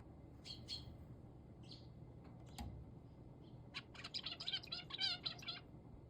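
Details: Male zebra finch giving short nasal chirps, a brief pair early on, then a quick run of clustered, harmonic beeping calls near the end over a low indoor hum.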